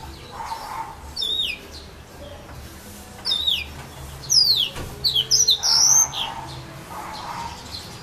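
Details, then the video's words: Yellow-fronted canary singing in casuarina trees at Saint-Philippe, Réunion: scattered thin, high whistled notes and quick downslurred phrases, becoming denser around the middle, over a steady low background hum. "serin pays 974 st philippe"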